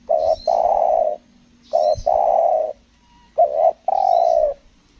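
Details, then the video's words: Spotted dove, a trapping session with a caller bird in Lombok, giving a stuttering call style locally named selang nguku gagap: low cooing phrases around 600, short note then long drawn coo, repeated three times, with faint higher chirps between. "PIKAT TEKUKUR SELANG NGUKU GAGAP"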